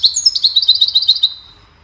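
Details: Goldfinch singing a melody for songbird training: a dense, rapid twitter of bright high notes, roughly a dozen quick chirps in just over a second, then fading to quiet.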